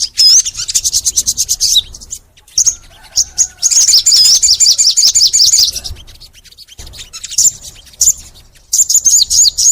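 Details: Crimson sunbird (sogon) in full, spirited song. Rapid series of high, sharp notes repeated about three times a second, with wavering whistled trills and short pauses between bursts.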